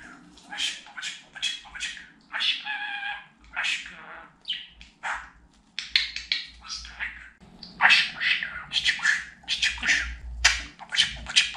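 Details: Budgerigar kept at home chatters and talks in long runs of fast, raspy syllables and harmonic voice-like notes, growing denser toward the end.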